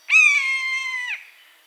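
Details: Wild buzzard in its natural habitat giving one loud, drawn-out mewing call, about one second long. The call is hoarse and nearly level, with a short downward drop at its end, in a quiet setting.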